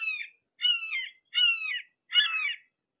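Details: Red-shouldered hawk at close range repeating sharp, descending screams, four notes in three seconds with short gaps between them, the last note rougher and more rasping.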